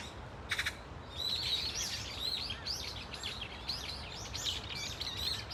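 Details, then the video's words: Brown-eared bulbuls calling as a flock at Dunsan Grand Park: after a brief click, many shrill, squealing notes overlap, rising and falling in quick, uneven succession. "직박구리 무리 다양한 울음소리 Brown-eared Bulbul sound of crying"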